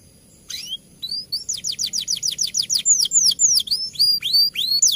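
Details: A champion tutor canary sings a rolling fighter song: whistled, swooping notes repeated about three times a second, each sweeping up or down, steady and clear after a brief silence at the start.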